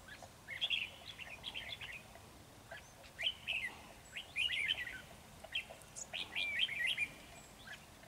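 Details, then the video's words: Red-whiskered bulbul of the Ché type, fluffed up and singing at a bird trap against a decoy bird: short bursts of bright, warbled, chattering notes, several quick phrases spaced about a second apart, over a quiet background. "Bẫy chào mào Ché căng xòe áp đảo mồi"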